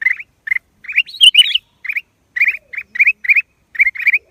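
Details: Chirping black-crested bulbul, short rising notes in loose clusters with gaps between, including a burst of higher, scratchy notes early on; otherwise quiet.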